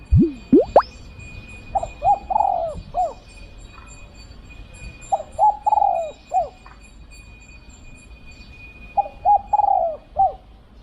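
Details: Spotted dove in Thailand, being lured with a decoy, giving mellow mid-pitched coo phrases: two short notes, a long rolling coo and a clipped final note, repeated three times about every 3.5 seconds over a steady high tone.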